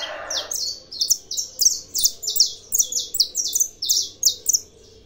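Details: A bred saffron finch sings a long steady train of high, sharp chirps with a short burst of noise at the very start, the notes coming several per second.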